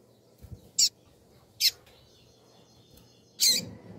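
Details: Female double-collared seedeater calling with three high, rasping chips at uneven intervals, the last longer and louder, over low rumbling background noise and faint knocks.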